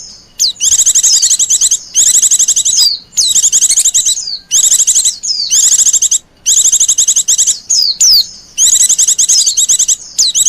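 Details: White-eye lure call meant to attract wild birds: a long run of rapid, high-pitched chirping trills in dense bursts, interrupted by sharp down-slurred notes and brief pauses.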